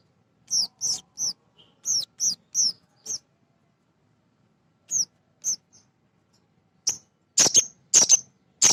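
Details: Male nectar-feeding sogon sunbird singing as a lure: a run of quick, slightly descending high chirps in pairs, a pause, a few more chirps, then louder harsh chirps close together.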